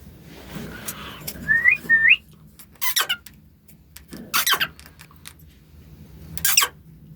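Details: A young male cockatiel gives two quick rising whistles, then harsh, scratchy bursts of chattered talk, saying "Mia mithu".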